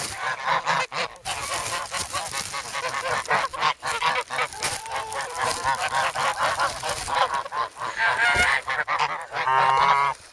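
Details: Several young adult geese in a snowy Amsterdam park on 3 February, hungry and eager for bread; a steady chorus of overlapping nasal honks, briefly quieter near the end before a loud burst of calls.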